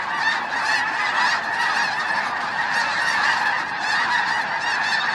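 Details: Snow geese at Bosque del Apache National Wildlife Refuge in December 2009, at sunset or sunrise: a dense, continuous chorus of many overlapping nasal honks from a large flock, steady and loud throughout.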